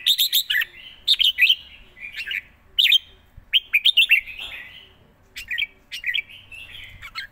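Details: Live singing by a red-whiskered bulbul with fast, fine phrasing: rapid bursts of clear whistled notes bending up and down, linked by quieter chattering warbles, repeated phrase after phrase.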